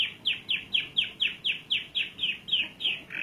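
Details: Canary song of bright, descending whistled notes repeated regularly about four times a second, each note sharp-edged and alike, fading into a softer trill at the end.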